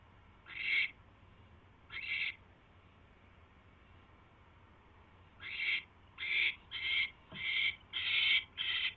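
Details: Owl on a live camera at 10:21 PM on January 28, 2016, around a mouse catch: two harsh, breathy screeching bursts, a long pause, then six rasping bursts in quick succession.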